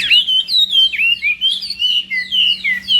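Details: Chinese hwamei in morning voice practice, giving clear loud downslurred whistles repeated about twice a second over a steady low hum.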